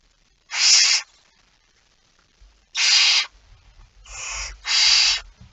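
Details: Barn owl at the nest while being fed, recorded at 05:28 on 19 September 2019: a single loud hissing screech, a pause, then three more in quick succession over light scuffling.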